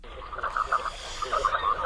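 Hooded Merganser giving a run of low, rolling, froglike notes, about five or six a second, in two short bursts with a faint background hiss.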